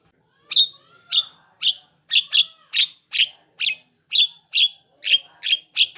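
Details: Javan myna song used as a lure to make other mynas answer; harsh, buzzy notes repeated about twice per second, coming slightly faster toward the end.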